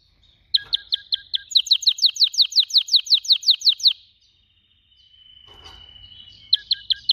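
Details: Canary song of rapid repeated downslurred notes, about three per second, then a steady high whistle and a brief renewed phrase at the end.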